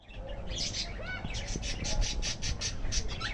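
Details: Several budgerigars chirping in a village setting: a busy run of short, bright, buzzy chirps repeated rapidly over a steady low rumble of background noise.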